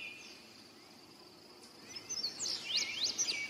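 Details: Indigo bunting (Passerina cyanea) singing a quick run of high, sweet, slurred notes, some in pairs, over a steady insect drone.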